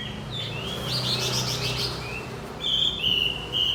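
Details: Javan white-eye lure recording to prompt a stopped male to sing: scattered high chirps and a brief buzzy flutter, then clear sustained whistled notes near the end, over low rumbling background.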